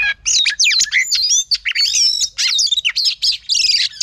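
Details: Female oriental magpie-robin sings to excite a male, giving loud, rich, fast-changing phrases of looping whistles, sharp upward and downward slurs and trilled notes, broken by short pauses.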